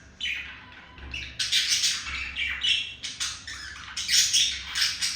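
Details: Budgie male wooing a female with loud, buzzy chattering bursts and harsh squawks, the phrases growing denser and brighter over about five seconds.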